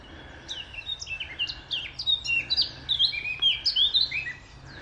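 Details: Male Eurasian blackcap singing on 30 March: a rapid, varied warble of clear whistled and scratchy notes, rising and falling in bright phrases over about five seconds, with a faint low hum underneath.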